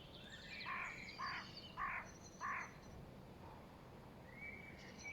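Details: Spring late-afternoon bird chorus from 5.3.2023: four harsh, rasping notes spaced about half a second apart, with faint high chirps and a thin whistle from other birds behind them.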